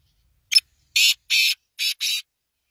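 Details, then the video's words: Black francolin calling: one short harsh note, then four longer grating, broadband notes in a quick phrase lasting under two seconds, against clean silence. "Kala Tetar Big Show beautiful voice"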